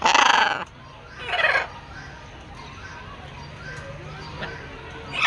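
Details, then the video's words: A macaw gives two loud, harsh, raspy screeches in quick succession, then a short squawk after a pause, over a quiet background. "Macaw parrot roaring"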